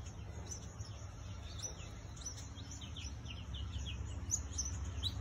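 Elegant parrot giving thin, high twittering notes, several a second in quick irregular bursts, over a steady low rumble of wind or distant traffic.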